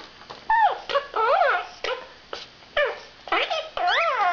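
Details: Five-year-old male pet parrot strutting in a spare cage, babbling his learned phrases such as "pretty bird" and "I love you" in rising and falling, voice-like mimicked syllables with short pauses.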